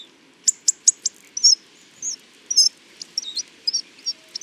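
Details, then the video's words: Hawfinch song in a natural setting: a fast run of sharp, high ticks followed by thin, slurred whistles and chirps, irregularly spaced, about one each half second, over a soft steady hiss. "Der Gesang des Kernbeissers"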